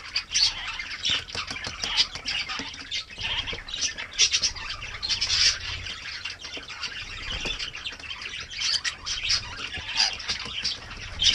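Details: Several New Zealand parakeets bathing on a mild winter morning give a steady stream of harsh, high-pitched squawks and chirps, closely overlapping throughout, with soft background rustle and splashing.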